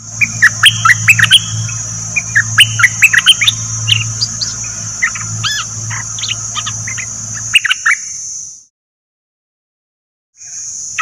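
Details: Decoy bulbuls, three birds kept as callers, sing a long, varied stream of sharp whistled and chattering notes over a steady low hum and a high constant tone, ending in silence.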